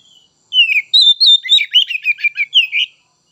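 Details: White-rumped shama delivering one continuous phrase: clear whistled slurs followed by a rapid run of varied chirping and chattering notes, about two and a half seconds long.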